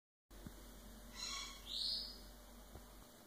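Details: Female sun conure in foster care in Northern California, talking; it may say "Okay" or "Blow Kiss", or "What". Heard here as two brief, high, raspy voiced syllables in quick succession, the second louder and higher, over a quiet steady background hum.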